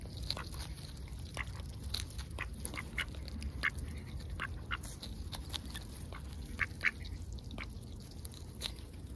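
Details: Ducks going about their routine on a heavily overcast day, heard close: steady, irregular soft quacks throughout, mixed with clicking, nibbling sounds and low background rumble.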